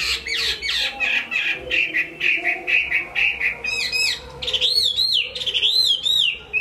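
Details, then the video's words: Chinese hwamei from Hai Phong, Vietnam, singing in captivity: a rapid chattering run of notes, then ringing high arched whistles that rise and fall in loops. "Họa mi hót tốt"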